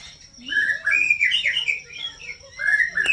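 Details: White-rumped shama singing a fast run of varied whistled notes, some slurred upward, some warbled. Near the end come a quick flourish of bright notes and a sharp click, over a faint steady high tone.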